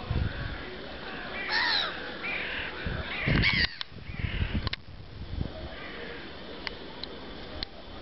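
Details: Six wild Alexandrine parakeets in the Youth Park, Bucharest, Romania, on 1 February 2017: harsh, screeching calls in short bursts near the start and around three seconds, over low rumbling background noise.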